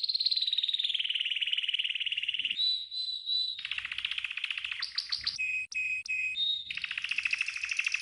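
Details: Green canary training song with varied phrases: sustained rolling trill, clear whistled tones, fast descending staccato notes and paired whistles, ending in a dense buzzy trill.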